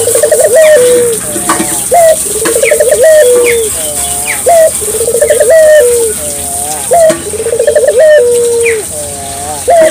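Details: Barbary dove singing steadily to prompt local doves to join in: low coo phrases, each a short rising note, a quick trembling roll, then a long falling tail, repeated five times, with faint twittering birds and a steady high whine behind.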